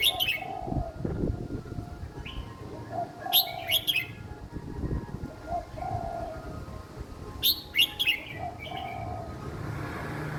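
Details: Young caged red-whiskered bulbul singing an easy song style meant for other young birds to copy: bursts of quick sharp whistles about four seconds apart, partly masked by steady background noise and lower notes.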